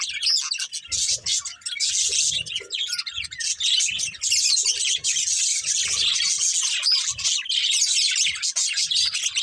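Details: Busy flock chatter from playing budgerigars, an unbroken stream of high chirps, squeaks and warbles that grows denser toward the end, faint low taps beneath.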